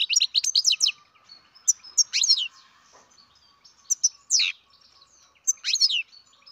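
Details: Captive-bred baby goldfinch twittering in quick bursts of bright, descending chirps and tinkling notes, separated by short quiet gaps.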